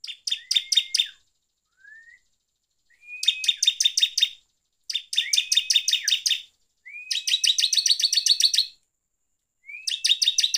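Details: A bar-winged prinia sings as a lure meant to provoke other birds. Bursts of fast, sharp, repeated ticking notes, each about a second or two long, are often introduced by a short rising whistle and separated by brief pauses.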